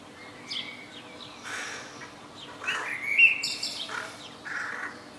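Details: Young crows in a neighbour's tree between houses give harsh, raspy, drawn-out begging calls, several in quick succession and overlapping, over a faint steady hum.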